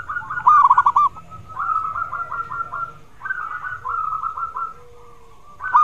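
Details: Zebra dove song used as a lure so other doves reply: a clipped pulsed phrase, then two long trains of evenly spaced beating coos and a softer falling note, repeated in cycles.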